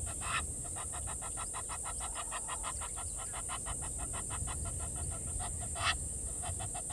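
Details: Water thick-knee at Gowrie dam waterhole, Djuma Game Reserve, Sabi Sand, South Africa, 07:11 on 16 November 2021, with a grey heron present: a long run of quick, evenly spaced piping notes, three or four a second, over a steady low rumble.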